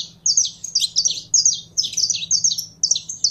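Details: Caged saffron finch being warmed up to sing: rapid bursts of high, sharp chirped notes tumbling together in short clustered phrases, with a faint low steady hum underneath.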